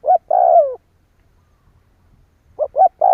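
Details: Spotted dove lure calling intended to provoke other doves: a short coo and a long, wavering, downward-sliding croo, a second of quiet, then rapid rounded coos leading into another croo.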